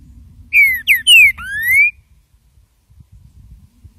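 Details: A green-winged saltator gives a short, loud whistled training song of three quick down-slurred notes and a longer rising one, over a low background rumble.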